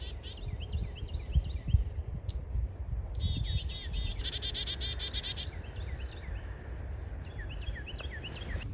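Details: Black-capped chickadees heard from a road at Sandy Hook, New Jersey, around 8:43 on New Year's Day 2023, give high, thin notes, then a burst of harsh, buzzy 'dee-dee-dee' notes, over a steady low rumble of wind and distant traffic.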